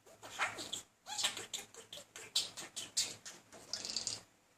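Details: A male budgerigar courts a female, persistently but without much success. He gives rapid, scratchy chatter: a string of short buzzy and clicking notes with a few squeaky chirps, about three per second.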